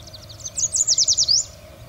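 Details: Yellow Warbler (Setophaga petechia) song: a quick run of about eight bright, high, slurred notes that speeds up and ends in a brief flourish, remembered as "sweet sweet sweet shredded wheat", over a faint low hum.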